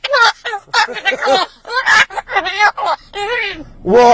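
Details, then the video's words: Pet blue-and-gold macaw talking, a rapid run of hoarse, voice-like syllables with wavering pitch, mimicking human speech, ending in a loud grating squawk. "Macaw Parrot Amazing Talking"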